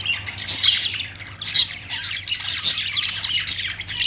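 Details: Australian parrots identified as budgies keep up a lively stream of bright chirps and buzzy warbling, loud pulses recurring roughly every second, a faint steady hum beneath.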